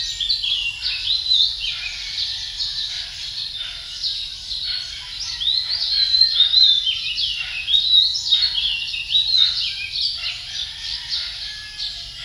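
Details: Male Philippine magpie-robin singing a dense, continuous run of varied high chirps and warbled notes, with loudness pulsing every second or so and a faint low hum underneath.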